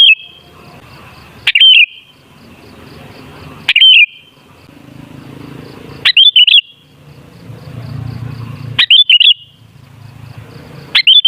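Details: Sooty-headed bulbul song used as a lure to make other bulbuls sing: short, loud, bubbly whistled phrases, five of them spaced about two seconds apart, with low background hum between them.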